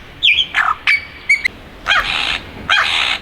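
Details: A male Superb Lyrebird, an expert mimic, sings while flitting between trees in Sherbrooke Forest, Dandenong Ranges, Victoria: a varied run of sharp descending whistles and clear piping notes, then two loud, harsh, rasping bursts, all high.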